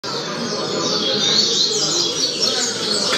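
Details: A double-collared seedeater (coleiro) gives a tournament-style tutor song for teaching, pouring out a fast, unbroken, dense run of high, bright twittering notes over faint hiss.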